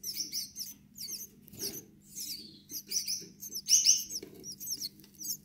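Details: Gouldian finch chicks chattering with rapid, high, hissing squeaks in clustered bursts, some overlapping, over a constant low mechanical hum and occasional soft knocks.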